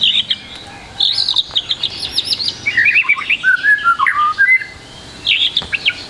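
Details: Varied song of a white-rumped shama meant to prompt young birds to sing: high rapid chattering trills followed by lower liquid whistles that swoop and tumble, then a brief pause and another high burst.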